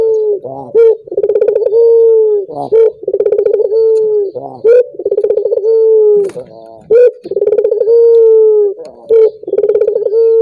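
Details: A Barbary dove coos repeatedly to get other doves singing. The loud phrases, each a quick note, a rolling pulsed coo and a long steady tone, repeat about every two seconds.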